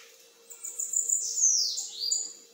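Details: Bananaquit singing in metralhadora style, somewhat softer: a jumble of very high twittering notes running into downward-swooping slurs and a short high buzz, over a low steady hum.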